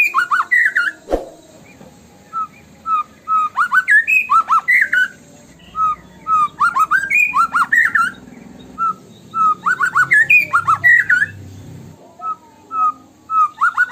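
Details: White-rumped shama lure song, tembakan style: a knock, then repeated sequences of short steady whistles that accelerate into loud, rising, slurred bursts, the phrases recurring every few seconds with a soft low hum underneath.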